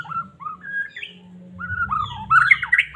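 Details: White-rumped shama from Medan, song played to stir a caged bird: mellow short whistles at first, then a louder run of slurred notes building to bright high twisting whistles, faint hum underneath.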